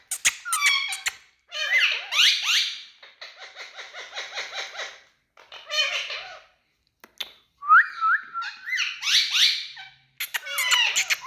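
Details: Talking parrot giving bursts of harsh, raspy chatter separated by short silences, including a rapid stuttering series of clipped notes and one clear rising-then-level whistle, with squawks at the end.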